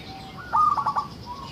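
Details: Local zebra dove singing as a lure for other zebra doves: one brief rippling phrase of quick, mellow cooing notes, with a soft hiss around it.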